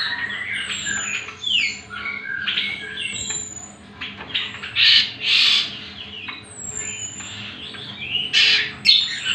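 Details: Greater green leafbird singing as a master recording for training other birds, pouring out harsh squawks, bright chirps and high thin whistles in irregular clustered bursts, some notes sweeping down sharply, over a faint steady hum.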